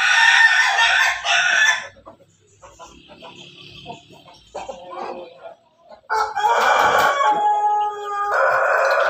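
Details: Backyard crossbred rooster with Pelung, Bangkok and ketawa ancestry: loud crowing bursts open the recording, a quieter stretch of low clucks follows, then a long loud multi-part crow fills the last three seconds.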